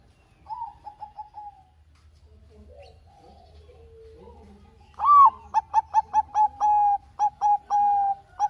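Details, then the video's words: Bangkok zebra dove in lively song for prompting other birds: a faint brief phrase, then a loud rising coo leading into a long run of rapid staccato notes broken by drawn-out coos. "perkutut bangkok gacor kutut bangkok gacor manggung suara merdu bagus untuk pancingan"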